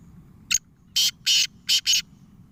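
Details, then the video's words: Black francolin (kala teeter) giving a harsh, grating, high-pitched phrase: one short rasping note, then four longer scratchy notes in two quick pairs, over a quiet background. "(black francolin voice) kala teeter ke awaz"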